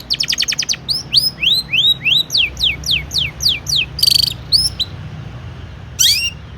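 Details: Long-tailed shrike lure song with mimicked fill-ins to trigger other shrikes: a short buzzy trill, then upslurred whistles about three per second, broken by two harsh buzzy bursts.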